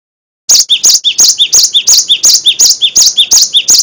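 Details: After half a second of silence a Cinereous tit bursts into rapid song: a swooping lower note joined to a piercing higher note, repeated evenly around three times each second. Used as a tutor recording for caged songbirds.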